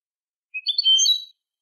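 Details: Short European goldfinch song fragment for tutoring young birds: a single quick cluster of liquid, high-pitched twittering notes lasting less than a second, nothing else audible.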